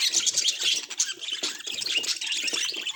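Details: Short burst of pet budgie warbling: high, scratchy twitters and squeaks packed closely together, loud and lively throughout.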